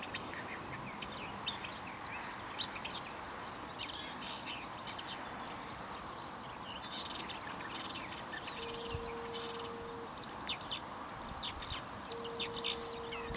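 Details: A singing male Woodchat shrike of race senator at Rishammar, Kareby, Kungälv, Sweden, 10 June 2015: a long, scratchy run of quick, varied chirps and twitters without pause, over steady hiss and a brief low hum; Woodchat shrike.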